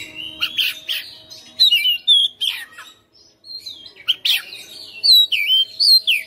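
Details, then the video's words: Home-kept white-rumped shama, a persistent fighter type, in full loud song: clear whistled notes and quick slurred phrases mixed with harsh rasping bursts, pausing briefly before a fresh run of bright whistles. "KACER RUMAHAN FIGHTER NGOTOT | GACOR | BONGKAR ISIAN"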